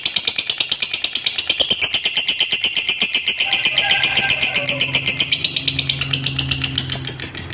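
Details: Long, unbroken ngekek chatter of a contest fighter lovebird: quick, regular harsh high notes pouring out for over seven seconds, with a low hum and faint tones heard behind.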